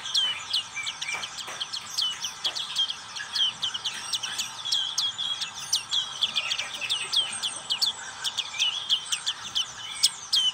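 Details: Ngriwik-style song of a black-capped white-eye, known locally as pleci: a long, continuous, high-pitched chatter of rapid chips and short whistles packed tightly together, with occasional sharp clicks.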